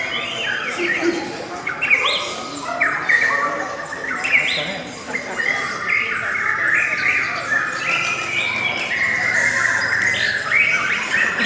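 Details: Long, beautiful lovebird song: busy, scratchy twittering with quick upward-swept chirps bunched in bursts, one dip in loudness midway, and faint talk in the background.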